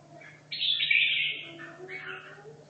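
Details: Caged red-whiskered bulbul, kept in a cage for two and a half years, practising for a singing competition: one loud, rich warbled phrase, bright and slightly slurred, followed by softer fading notes over a steady low hum.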